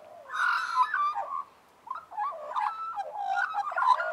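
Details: Australian magpies warbling in harmony, a rich wavering phrase, a brief pause, then a string of varied gurgles and fluty notes rising in intensity.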